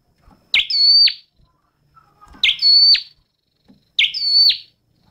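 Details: Three evenly spaced song phrases from a flowerpecker, each a chip leading into a flat, piercing whistle with a downward tail, plus faint soft ticks between phrases.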